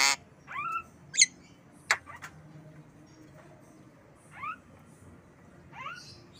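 A Javan myna gives a few clear, bending whistles mixed with short harsh clicks and squawks, spaced about a second apart, over faint background hum.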